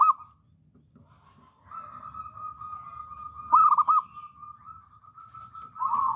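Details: Local wild-type zebra dove, bold singer used as a lure, producing a long steady rolling trill lasting several seconds, broken by a loud pulsed coo burst in the middle.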